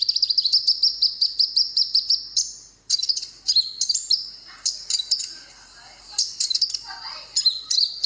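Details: Konin song aimed at getting wild birds to answer: a rapid run of repeated high notes, then a varied, chattering stream of sharp chips and slurred whistles with short gaps.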